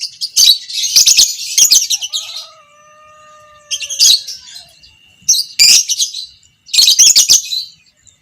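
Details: Long chattering ngekek of a creamino fighter lovebird, a training recording for other lovebirds; dense shrill rattling bursts at the start, middle and end with quieter gaps, and a thin steady whistle sounding between them.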